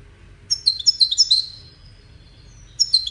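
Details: Short goldfinch song phrase used in courtship and communication, a quick cascade of bright, high chirping notes lasting about a second, followed by quiet and a fresh start of twittering at the end.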